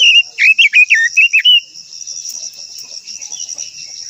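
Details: Japanese white-eye, called quế lâm, delivering the long-voiced song used to provoke other birds: loud, clear, high warbled notes in a fast jerky series of about seven, ending after a second and a half, followed by a soft insect hiss.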